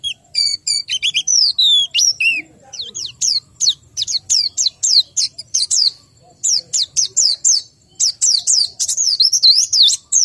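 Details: Lengthy song from a white-eye short of breeding condition, high sweeping whistles and warbles delivered in fast bursts of about three notes a second, broken by brief pauses.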